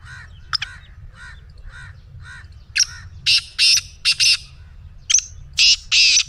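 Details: Black francolin calling to set off a pet francolin: a string of soft, evenly spaced faint notes, then repeated loud harsh, rasping buzzy bursts in grouped phrases, over a constant low hum.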